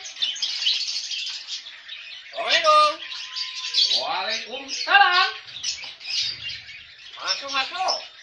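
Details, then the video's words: Talking cockatoo imitating a human voice: scratchy, breathy phrases with rising and falling harmonic sweeps, a few short utterances separated by pauses, one brief steady whistle-like tone in between. "SUARA ADZAN MERDU BURUNG KAKA TUA"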